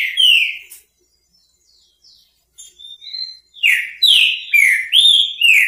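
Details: Repetidor song of a trinca-ferro, the green-winged saltator: one loud slurred whistle, a pause with soft faint notes, then a quick run of strong rich whistled phrases, some rising, some dropping.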